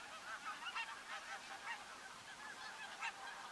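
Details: Flock of greater white-fronted geese at Workum, Netherlands, in February 2014, keeps up a steady chorus of high, yelping, laughing calls that overlap continuously with no pause.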